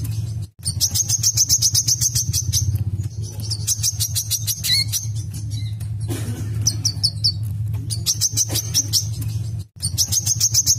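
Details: Olive-backed sunbird singing loud and busy, played to provoke other birds into song; long bursts of fast, high, ringing chips and trills broken by short pauses, with a constant low droning hum underneath.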